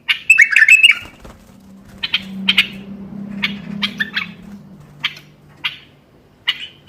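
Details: A bulbul's motivating song for other bulbuls: one tumbling warbled phrase, then sharp, separate short notes spaced about half a second apart over a steady low hum.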